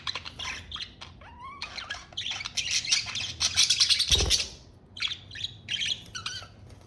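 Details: Pet budgerigars chattering: dense warbled, rasping and chirping notes with short rising whistles, a busy overlapping stream, one brief low thump midway.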